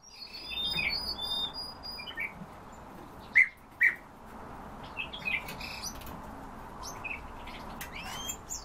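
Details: Eurasian bullfinch out in the sun, giving short, soft, piped call notes singly and in pairs at irregular gaps, with fainter higher chirps from other birds and a steady background hiss.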